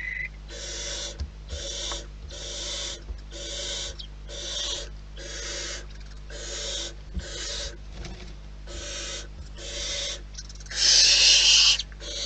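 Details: Rapid series of about a dozen breathy hisses from wild barn owls at their nest, nearly one per second and fairly even, with the final hiss much louder; faint knocks and a low hum sit underneath.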